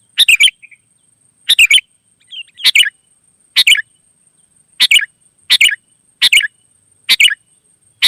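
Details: Sooty-headed bulbul, a wild bird, singing briskly and responding: eight brief chattering phrases of clustered bright notes, spaced about a second apart, with a faint softer note after the first phrase.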